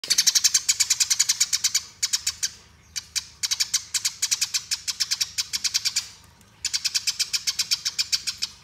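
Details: Eurasian tree sparrow in fighting style, rolling continuously, used as training master: rapid bursts of sharp, high chirps delivered in long rattling runs of ten or more notes, separated by brief pauses, over a faint low hum.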